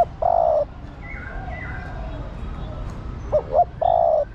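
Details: Female spotted dove calling the male: a long low croon ends one phrase, then two short hoots and another held croon follow. Other birds give rising whistled notes in between.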